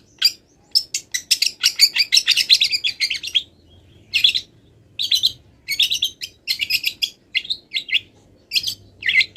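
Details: Mimicry-rich song from a wild long-tailed shrike still in moult. Long runs of fast, scratchy high chattering are broken by short gaps, then resume as dense repeated chirping phrases.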